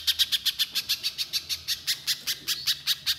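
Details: Little spiderhunter in lively, 'gacor' singing used as a lure to prompt other spiderhunters to sing. Sharp, high, chipping notes come in a fast, steady series of about five per second throughout.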